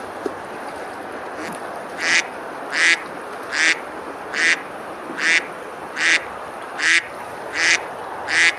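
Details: Ducks on a river in Besalú, Girona, Spain, early morning on a summer day, splashing and feeding: one duck quacks steadily, a harsh nasal note about every 0.75 seconds, over a constant rushing background of water.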